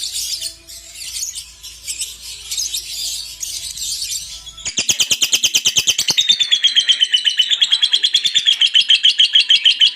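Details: Lovebird singing, kept as a pet and recorded to coax other lovebirds into full song: dense high chatter for about four seconds, then a fast run of sharp repeated notes and a bright wavering trill.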